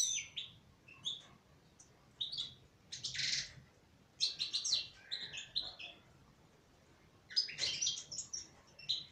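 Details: Female goldfinch kept in captivity singing in irregular bursts of high twitters, liquid chirps and scratchy buzzes, several phrases spread across the recording with short silences between.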